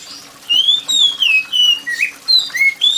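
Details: Oriental magpie-robin singing a lively series of about nine shrill whistled notes, sliding up and down in varied slurs with a few harsher notes, over light rainfall; meant as therapy for reluctant magpie-robins.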